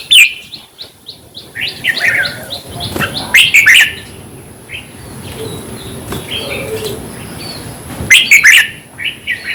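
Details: Red-whiskered bulbul song played to excite caged birds: a run of quick clipped notes, then loud bubbling warbled phrases, a quiet stretch with soft chirps, and another burst at the end.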